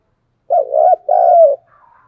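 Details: Spotted dove calling as a lure to attract and excite wild doves: one soft, hollow phrase, a quick rolling double coo, a short pause, then a sustained falling croo, with nothing else audible.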